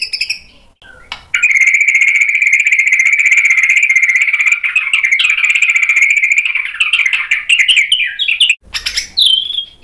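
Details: White-rumped shama singing sharp fill-in material as a lure for other birds to answer. A sustained, even, insect-like trill holds steady for about seven seconds, breaks into twisting notes, then ends with a clear whistle.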